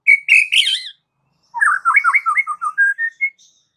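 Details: White-rumped shama singing, song said to provoke other shamas to rage and answer: a harsh, high chattering phrase, then a varied run of quick whistled notes that dip and rise, ending on clear sustained whistles.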